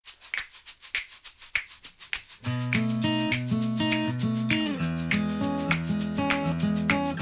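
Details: Rhythmic shaker beats give way to plucked-string music with a steady bass line, and no animal calls are heard.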